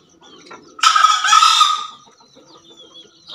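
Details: Green junglefowl of Java giving a single loud, hoarse, buzzy crow lasting just over a second, rising sharply and fading out, with faint chirps of other birds behind.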